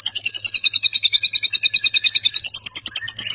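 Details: Champion competition white-rumped shama from Medan in full song with mimicry of many birds, delivering a rapid, steady series of high chirps, about two hundred per minute, shifting pitch toward the end.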